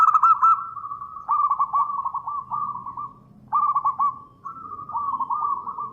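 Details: Loud-voiced local zebra dove singing as a lure to prompt an answer: rolling, trilled cooing phrases run almost continuously, each about a second or two long, over a faint low rumble in the background.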